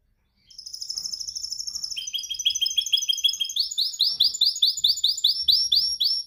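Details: Canary during song training, perfecting its song: begins with a thin high rattling trill, drops into a lower buzzy roll, then settles into a loud run of rapidly repeated rising whistled notes.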